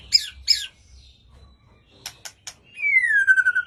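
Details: White-rumped shama singing: two rapid buzzy chirps, then a trio of sharp clicks, ending in a long clear whistle sliding downward from high to lower pitch, with faint harmonics above.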